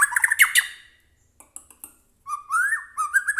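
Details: White-rumped shama kept in captivity, song played to stir another shama into singing: a harsh chattering burst, a few scattered clicks, then a fluty whistled phrase with rising and falling slurs.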